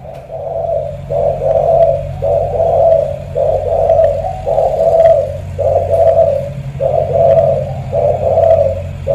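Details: Repeated low, throaty coos from a spotted dove in Ca Mau with a strong, pigeon-like voice. Eight or so even phrases come one after another with short gaps, over a constant deep hum.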